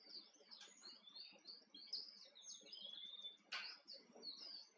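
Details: Male island canary in the wild on Tenerife, Canary Islands, delivering a continuous, fast run of high twittering notes and sweeping whistled trills, heard at a distance over faint ambient noise.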